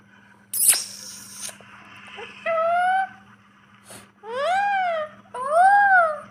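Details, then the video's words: Pet ringneck parrot imitating human speech while talking with its owner: sharp clicks, then drawn-out whistled tones and two arched, rising-then-falling whistles, with a steady low hum behind. "ringneck parrot talking to human like"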